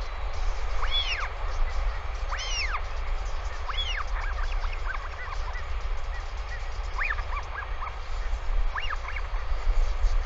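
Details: Northern royal albatross at the nest, on an evening when a returning bird stays overnight with the chick: short, arched, honking calls rising and falling, in loose groups every second or two over steady rumbling wind.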